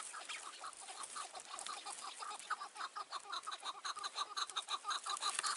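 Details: Chukar partridge on a mountain near dark in June 2018, returning again and again to a tree beside a decoy trap. Loud, clucking chuck notes repeat quickly and evenly, building in strength.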